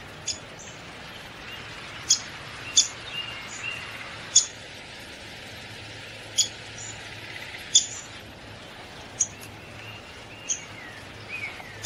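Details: Sharp, brief, high-pitched notes from a downy woodpecker, about a dozen spread irregularly across twelve seconds, sometimes two in quick succession, with soft background noise throughout.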